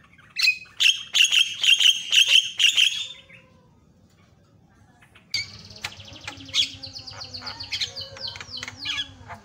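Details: Javan myna giving varied song on a tutor recording meant to excite other mynas: a fast train of sharp, repeated chattering notes, a pause, then a jumble of whistles, clicks and rattles.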